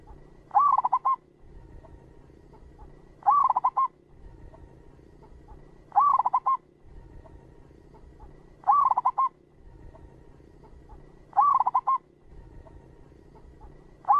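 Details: Zebra dove of the local type calling as a lure for trappers: brief rolling coo bursts repeated at a regular pace, about every two and a half seconds, over faint background hum.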